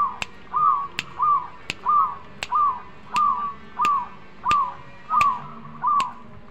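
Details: A zebra dove sings steadily, giving a rounded, slightly rising-then-falling coo about every 0.6 seconds, nine or ten times. A sharp click is heard between many of the notes.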